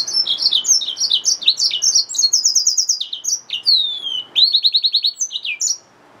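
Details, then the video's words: A hybrid finch, the yellow-fronted canary mule, sings an unbroken, energetic high song: rapid chirps, descending slurs and crisp repeated trill bursts packed into about six seconds. "Yellowfronted canary mule | Hybrid Finch | Nature Bird sounds"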